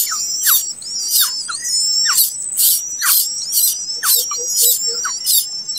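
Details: Begging of a late-hatched common koel chick: repeated rough, sizzling screeches with faint descending squeaks between them and a continuous high whistled tone in the background.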